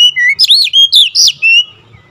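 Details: Short, fierce phrase from an agitated oriental magpie-robin: a low whistle, then several loud, rich notes that leap up and curve down in quick succession, ending on a level tone.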